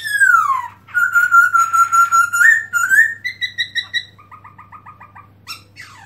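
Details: Loud black-throated laughingthrush (Garrulax chinensis) song, 2017, with tail opened: a falling whistle, a long level fluty note with warbling, then a regular string of sharp clipped notes that drop lower and fade, a brief high chirp at the end.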